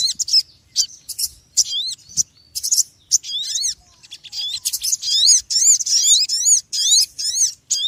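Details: Small noisy bird starting with scattered sharp chirps, then building into an almost unbroken, quick series of high, swooping notes.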